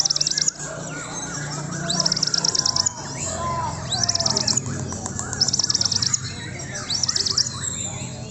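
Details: Young white-rumped shama from Indonesia singing bursts of rapid, high, wavering trills that repeat every second or two, over a steady low hum, with a brief human voice near the start.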